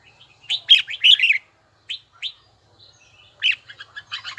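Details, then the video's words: Kept red-whiskered bulbul training its voice in a bell-like tone; bursts of bright whistled, warbling notes, a cluster near the start, two short single phrases mid-way, then a rapid run of chirps at the end. "Chào mào luyện giọng hay nhất ||Nghe mãi không chán|| Tông giọng chuông đều chuẩn đúng nhịpnhất"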